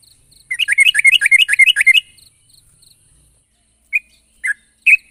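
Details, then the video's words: Sooty-headed bulbul calling out to a rival in a rapid, bubbling burst of chirpy notes lasting about one and a half seconds. After a pause come three separate sharp notes, over a faint, thin, high ticking. "suara burung trucuk gacor memanggil lawan"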